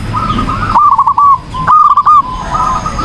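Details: Zebra dove song recorded for training: softer, rolling cooing phrases at one pitch, one louder trilled burst in the middle, with low background rumble and a faint high tone.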